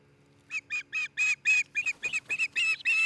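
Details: Osprey pair nesting near Charlo, Montana, on a nest camera in late June: a rapid run of loud, clear, whistled yelps, about five per second, each steady in pitch and growing slightly stronger toward the end, over a low steady hum.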